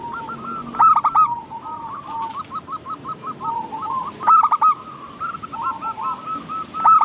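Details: Local zebra dove (perkutut) singing: soft, rapid stuttering coo trills run almost continuously. Loud clipped bursts break in about every three and a half seconds, and other similar birds trill quietly in the background.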